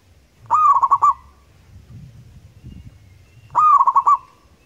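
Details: Zebra dove of a local Indonesian type giving its loud, long song: a pair of brief cooing bursts three seconds apart, each made of a rising start and a rapid string of pulsed notes, with faint low rumbling between.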